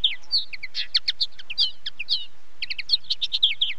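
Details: Common linnet song of lively twittering, with rapid bursts of short high chirps and little trilled phrases, a brief pause near the middle, then another quick chattering run.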